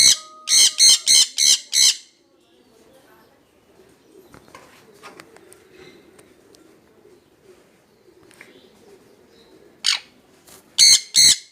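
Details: Jenday conure pair calling: a fast volley of five loud, raspy screeches, a long stretch of soft shuffling and low murmuring, then another burst of harsh squawks near the end.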